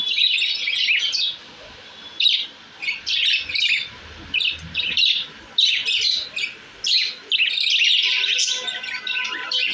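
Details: Pet budgies in their new cage, described as happy, sing in separate bursts of squeaky, chirpy warbling, each about half a second long, with short gaps between them and a busier run toward the end.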